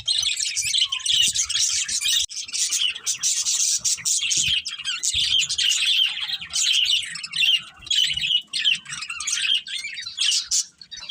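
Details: Pet budgerigars living as a family keep up a long stream of high chattering chirps and warbles, loud and overlapping, fading briefly near the end, with faint low bumps.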